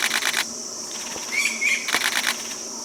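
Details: Common green magpie in Bangladesh, a resident of evergreen and moist deciduous forest that can mimic other birds, giving harsh, scratchy bursts and a brief pair of clear whistled notes over a steady high insect drone.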